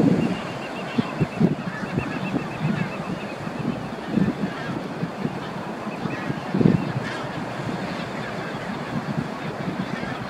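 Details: Immature southern rockhopper penguins on Isla Pingüino, Puerto Deseado, Santa Cruz, Patagonia, Argentina, 9 February 2020, give short, hoarse honking calls every couple of seconds, half-buried under steady surf and gusting wind.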